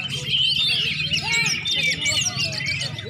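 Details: Greater green leafbird warming up before a singing contest: dense, rapid warbled and whistled phrases tumbling over one another, with a low murmur of voices beneath.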